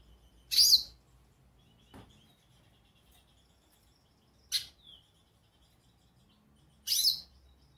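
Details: Goldfinch calling: two loud, high, buzzy chirps six seconds apart, with softer clicks and a short fainter note between them.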